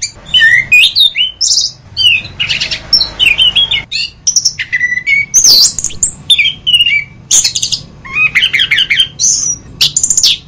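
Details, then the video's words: Orange-headed thrush delivering a long medley: bursts of high slurred whistles, a scratchy buzzing patch, sharp clicks and repeated rising phrases, separated by brief gaps, against a quiet hum. "Masteran Anis Kembang"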